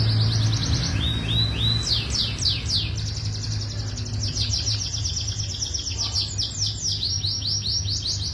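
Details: Canary youngsters deliver a rolling song of quick upslurred and down-sweeping notes merging into a dense continuous trill, over steady low noise.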